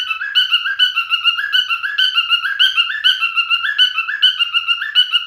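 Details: Singing male cockatiel kept as a pet, delivering a continuous run of clear whistled, warbling notes that step up and down in quick succession, about two notes a second, with no other sounds.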